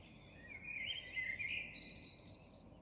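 A common blackbird sings one mellow, warbled phrase that ends in a thin, higher twitter. Faint background hiss underneath.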